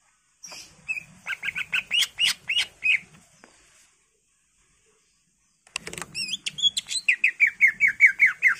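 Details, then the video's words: Greater green leafbird in a vigorous full song used as a lure to set other birds singing: a fast run of sharp repeated notes, a pause, then twisting whistles and another rapid series of descending notes. "PANCINGAN CUCAK IJO GACOR FULL ISIAN/ CUCAK IJO Gacor"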